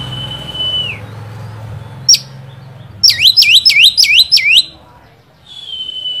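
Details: Oriental magpie-robin singing to stir up a rival: a level whistle dropping at the end, a single sharp note, then five fast swooping V-shaped whistles and a closing steady whistle.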